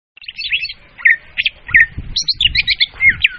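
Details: Leafbird lure recording used for bird trapping, described as clear and loud: a rapid jumble of whistled and chattering notes around the upper-middle register, some sharp upslurs, with faint low rumbling beneath.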